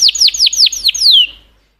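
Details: A canary sings five quick downward-slurred notes, then one longer falling slur that fades away.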